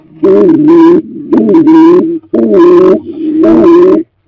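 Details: Stock doves preparing for a new breeding season, heard at a cleaned nest box; four loud, deep coos, each under a second with a slight rise and fall, repeated about once a second.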